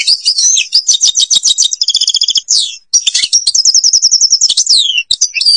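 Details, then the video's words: European goldfinch singing in the Babas forest, Algeria: continuous rapid twittering with repeated trill notes, sliding whistles and a brief pause midway, high-pitched and busy. "canto jilguero argelia"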